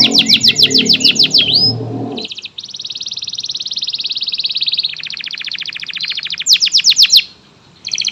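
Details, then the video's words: Varied song of a canary of the local, AF and AFS types: fast bright note series over a low rumbling background, then a long smooth buzzy trill, a coarser trill, sharp clipped notes and a brief pause. "SUARA VARIASI BURUNG KENARI GACOR JENIS LOKAL, AF, AFS"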